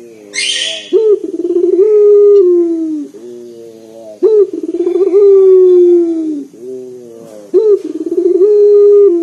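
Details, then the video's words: Local collared dove with a big, bass voice, singing to lure others into song. After a brief high chirpy noise at the start, low rolling coos that swell then fall repeat about eighteen times a minute. "PUTER LOKAL GACOR DOR SUARA BESAR NGEBAS 100% UNTUK PANCINGAN"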